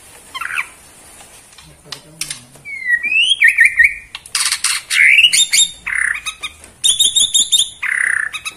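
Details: Caged Borneo white-rumped shama in energetic, varied song: rapid whistled trills, rising sweeps, harsh buzzy notes and dense chattering phrases, loud and continuous in the second half.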